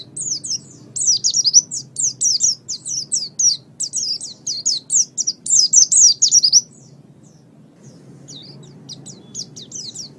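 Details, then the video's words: Oriental white-eye singing on a training master recording: loud, fast high twittering bursts of slurred notes for about six seconds, a brief lull, then softer scattered twitters resuming. "raja masteran pleci"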